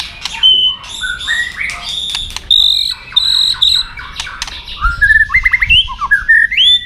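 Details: White-rumped shama singing its fighting song for training birds: ringing high whistles held level, then a series of quick upslurred notes climbing in pitch, scattered with crisp clicks.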